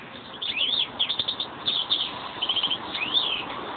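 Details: Caged European greenfinch pair singing: busy high twittering with rapid chirp runs and arching rising-then-falling whistled sweeps, a quick buzzy trill near the end, steady background hiss.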